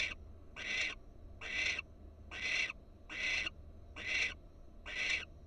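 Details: Florida barn owl, wild, filmed by a nest camera where a female perks up; six raspy, noisy screeches come at nearly one-second intervals over a faint low rumble.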